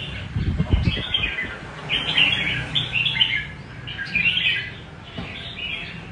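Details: Red-whiskered bulbul performing the rê cầu song style, with sweet warbled phrases about a second long repeated several times, opening with a brief low thump.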